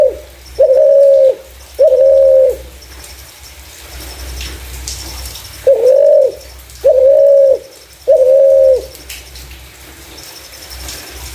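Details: Clear-voiced spotted dove calls meant to draw in other doves: two low, level coos, a gap of about three seconds, then three more evenly spaced hollow notes.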